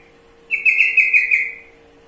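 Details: Sooty-headed bulbul, known locally as trucukan, sings one rich, bubbling whistled phrase about a second long, several quick linked notes that wobble and then trail off, over a faint constant hum.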